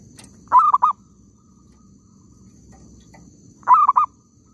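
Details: Zebra dove at an oil palm plantation where birds are being trapped. Two clear coo phrases about three seconds apart, each a fast run of clipped mellow notes, with faint low rumble behind.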